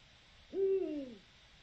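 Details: Eurasian eagle-owl recorded on 7 October 2020 for the Territorio Lince initiative. A single deep, drawn-out hoot lasts about half a second, holding steady and then sliding slightly downward, against a quiet background.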